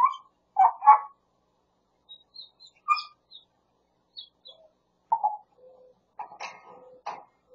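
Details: Grey parrot kept near Los Angeles, California, mimicking a cat, a Pungsan dog and a man calling the cat and saying "yeobo"; short harsh voice-like bursts, thin high whistles and buzzy nasal notes separated by silences.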